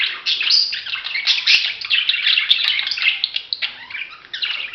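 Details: Loud, busy budgerigar chatter, with overlapping squeaky chirps, trills and warbling notes filling the whole stretch almost without a break.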